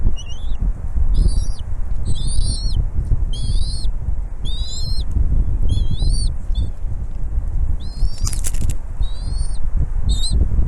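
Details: Bald eagle nest during feeding of the young by their mother: a long series of high, piping whistles in quick stuttering groups roughly every second, over heavy rumbling wind and one brief rustle.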